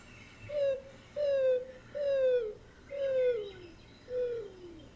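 Greater Roadrunner giving five low, soft coos, each slurring downward at the end, spaced about a second apart.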